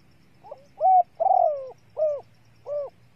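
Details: Lure call of a female spotted dove meant to rouse males: a faint short lead-in note, then a rounded coo, a long drawn descending coo, and two more evenly spaced soft hoots.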